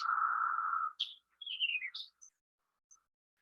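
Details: A chattering White-eyed Vireo in brushy Maryland underbrush, carrying a moth for its nestlings, sings a quick 'chip fuzzy ear chip' phrase with a buzzy burst, a slurred falling whistle and sharp high chips, after a long steady low tone.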